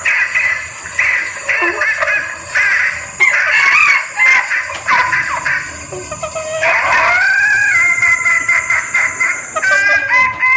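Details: Female junglefowl in heat calling for males, used as a lure: a long series of rough, nasal cackles that build into drawn-out, wavering notes near the end, over a constant high-pitched background hum.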